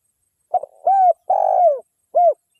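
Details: Local wild spotted dove call used as a lure to attract other doves: a short double note, then three mellow, hollow coos, the middle one longest and gently falling, in a quiet setting.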